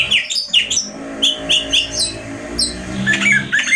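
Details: Oriental magpie-robin uttering clipped whistled notes and chirps in uneven bursts, with a scratchy flourish near the end, over a low humming background.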